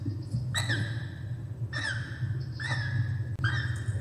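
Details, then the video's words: A Laughing Kookaburra (Dacelo novaeguineae) in Australia gives four short, harsh, slightly rising notes, about one a second, over a steady low rumble. "Kookaburra - Kacagójancsi"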